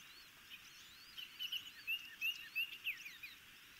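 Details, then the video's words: Young ospreys at a nest near the Chesapeake Bay in Maryland, 26 May 2018, being fed: a steady series of sharp, down-slurred whistled cheeps, roughly three per second, over quieter twittering and constant hiss. "Osprey Chicks Have a Good Feeding"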